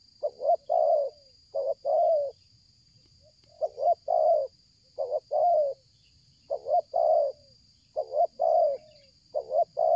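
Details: Spotted dove cooing nonstop in a stuttering style during bird luring: around seven phrases of broken two-part notes plus a longer soft coo, arriving in quick succession, accompanied by a constant high whine.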